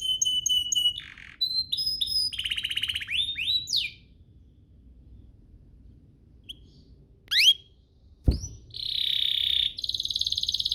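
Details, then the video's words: Domestic canary song meant to spur other canaries into singing: bursts of fast repeated chirps and rising upsweeps, a quiet pause, a sharp click, then a dense buzzy trill. "Pancingan ini EFEKTIF BANGET, burung kenari lain langsung terpancing untuk GACOR"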